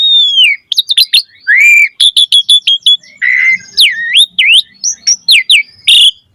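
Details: Varied chattering song of an Asian pied starling: a falling whistle, a quick train of clipped chips, a harsh buzzy note, then swooping V-shaped whistles, all clear.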